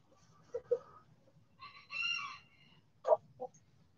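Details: Backyard chickens in the sun: a few soft clucks, then a brief, harmonically rich crow lasting under a second, followed by two sharp, loud clucks over a low background rumble.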